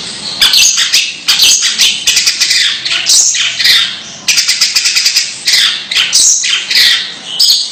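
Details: Strange 'ngeker' calls from a long-tailed shrike (cendet). Harsh, squawking, scratchy notes come in fast, continuous chattering bursts, with brief pauses about every one to two seconds.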